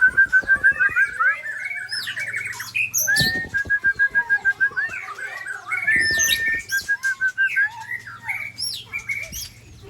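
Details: White-rumped shama from Sabang, Aceh, Indonesia, attacked by shamas from Ujong Pancu and Tangse; even, rapidly repeated whistled notes in trills, broken by high sweeping calls and loud clattering bursts.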